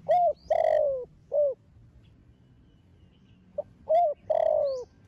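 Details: Cooing of a young spotted dove in thổ đồng style, used to excite other doves into cooing: repeated phrases of short curved hoots and one longer drawn-out descending coo, mellow and mid-pitched.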